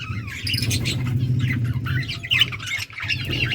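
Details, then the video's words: Flock of yellow budgerigars recorded August 6, 2024, twittering in short scratchy chirps and squeaks, one sharper whistle midway, set against a loud low rumbling hum. "Beautiful yellow budgies chirping sounds 💛 Beautiful Australian parrots talking"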